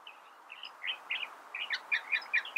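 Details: Soft, somewhat distant California thrasher song, starting with faint warbles and building into a quicker series of brighter, clipped notes toward the end.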